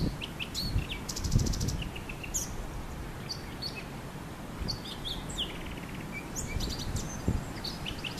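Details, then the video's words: Male Eurasian blackcap singing from a honeysuckle bush: varied, quick high warbled phrases with short trills and chirps, over steady low rumbling background noise. "Blackcap singing"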